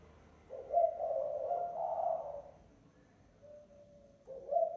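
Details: Spotted dove cooing as a lure call: a long, rough, swelling coo, a short soft note, then the next phrase beginning, low-pitched and clear.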